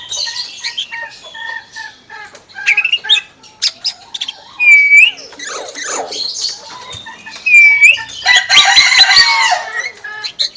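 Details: Common hill myna copying chicken sounds: a run of short repeated whistles and clicks, sharp upward-slurred whistles, then a rough, broadband squawking burst near the end like a chicken's cackle.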